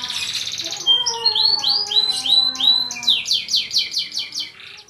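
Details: Canary; song; tutor song for training other canaries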